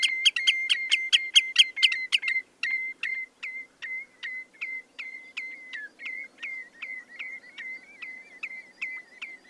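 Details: Common redshank song: a long series of clear, ringing whistled notes repeated about twice a second, loud at first and fading steadily, later notes becoming slightly slurred and wavering, in an otherwise quiet setting.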